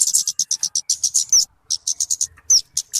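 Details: Talokan (kemade) bird giving bursts of high, rapid chips separated by a short silence, with a clear slurred whistle in each burst; recording used to lure birds or teach caged birds.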